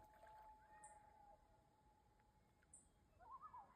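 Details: Common loon, males calling on a lake near a mother and her young: a faint, steady, drawn-out tone at the start, then a short wavering, quavering call near the end, with two brief high chirps over quiet background.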